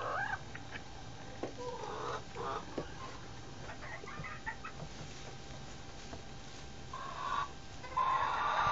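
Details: Chicken making odd sounds: scattered short, soft clucking notes at uneven intervals, then a louder, harsher drawn-out call near the end, over a steady low hum.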